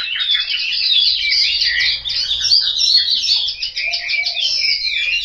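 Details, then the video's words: Home-kept Chinese hwamei in Hanoi, Vietnam, singing a dense, rapid warble of bright whistled and trilled notes, with faint low rumbling in the background. "Họa mi"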